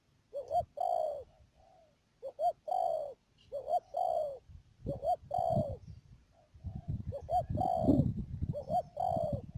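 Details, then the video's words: Decoy spotted dove at a trapping site in Mương Điều, Đầm Dơi, Cà Mau, Vietnam, March 2019; low cooing phrases of two quick notes and a longer falling coo, repeated steadily, with rustling and thumping noises later. "BẪY CHIM CU GÁY CÀ MAU"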